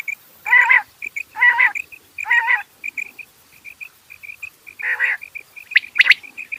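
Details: Rain quail calling: harsh, buzzy double-toned bursts repeated about once per second, with short high ticking notes between them and a sharp high chirp near the end.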